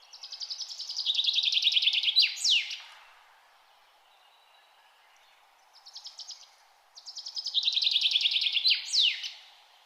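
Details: Bird song in nature: two loud phrases of rapid repeated notes, each closing with a steeply falling high sweep, separated by a quiet pause of about three seconds with a short softer trill.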